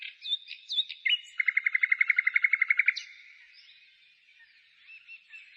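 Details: Springtime bird song outside the city, 15 May 2017: a few high warbled notes, then a rapid regular trill of about sixteen loud pulses over one and a half seconds, fading into quiet twittering.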